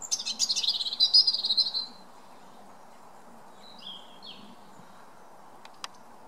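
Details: European Robin singing at night, a high, thin, rapid trill that slides slightly downward for about two seconds, then a few faint quieter notes over a low steady hum.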